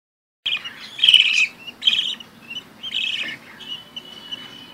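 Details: Budgerigar chicks aged one to three weeks give high, raspy chirps in quick bursts, several voices overlapping.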